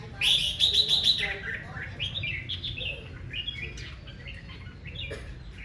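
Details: Morning competitive song of a red-whiskered bulbul, the male roused to aggressive singing: it opens with a loud, fast run of sharp whistled notes, then shorter chirping phrases and softer calls from other birds, with a low background hum.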